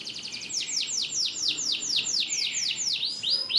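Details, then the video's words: Canary (kenari) song: a brief high trill, then a series of loud, clear descending whistled sweeps, about three per second, ending in shorter upward-flicking notes; no other sounds. "Kenari AF (SZ) Canary"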